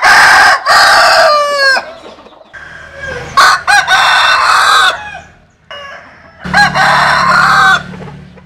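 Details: Cock crows from Vietnamese and American Sil chickens: three loud crows, each ending in a falling, wavering tail, come about three seconds apart with quieter crowing between.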